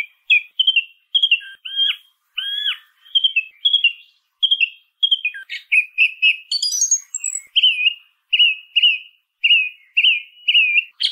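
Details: Long song thrush sequence: varied whistled and chipping phrases, a rising high flourish, then one short note repeated about seven times at a steady pace. No background noise.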